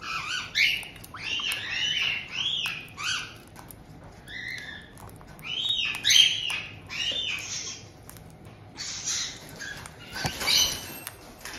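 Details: White-bellied caiques kept as pets in Tokachi, Hokkaido, Japan, June 2023, the resident pair welcoming a two-month-old new bird; a long run of loud arched squawks and whistles, several in quick succession, with a rustle near the end.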